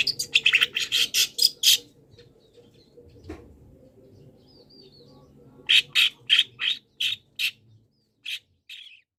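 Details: Song of a long-tailed shrike, full of borrowed phrases, used for training caged birds: rapid harsh, rasping notes in a dense burst, a long quiet pause, then spaced single grating calls slowing toward the end.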